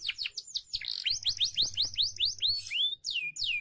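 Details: Song of a canary, meant as a training recording for caged birds: quick high notes giving way to a regular series of rising-then-falling whistled sweeps that slow toward the end.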